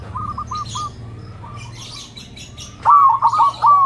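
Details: Zebra dove with a big, mellow voice, used to coax other zebra doves into singing; after faint stuttered cooing over a low hum, a loud burst of rapid rolling coo notes near one kilohertz closes the passage.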